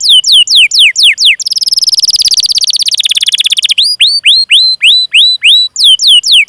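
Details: Canary with long 'cuit cuit' song and rolls, a lure to stimulate other canaries: falling whistled sweeps, a long buzzy rolling trill, then rising whistles with flat ends, repeated steadily.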